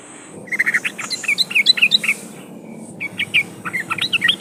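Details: Trucukan (Sooty-headed Bulbul) song used as a lure to set other trucukan singing: two bursts of quick, bubbly, warbled chirps, each note rising or falling, separated by a brief pause.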